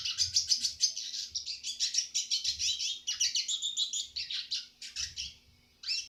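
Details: Eurasian siskin singing a tutor song for training birds: dense, rapid twittering of chirps and wheezy trills, pouring out almost without pause before a short break and a final burst.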